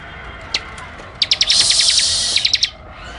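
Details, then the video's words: Bar-winged Prinia (ciblek) singing the ngebren style, short sharp bursts of high buzzy notes, one single note then a dense rattling run of rapid clicks lasting about a second and a half. "Ciblek AK47 Ngebren Rapat Tembakan Tajam"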